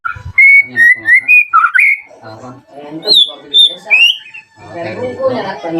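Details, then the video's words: A white-rumped shama sings to call out a rival and get it singing: clear whistled phrases rising and falling, separated by soft scratchy notes, with a run of higher whistles and a rough, muttering chatter at the end. "PANCINGAN AMPUH MURAI BATU AGAR CEPAT BUNYI"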